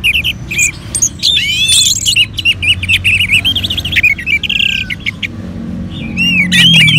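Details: Caged orange-headed thrush, prompted to sing by played colony bird sounds. It gives a continuous, varied warbling song of quick rising and falling whistled notes, with brief buzzy trills and other birds overlapping. A faint low hum sits underneath.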